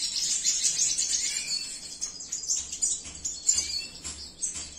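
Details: Male red siskin of cinnamon mutation singing a fast, high, twittering song of thin buzzy notes and chirps, with a few louder chips in quick succession.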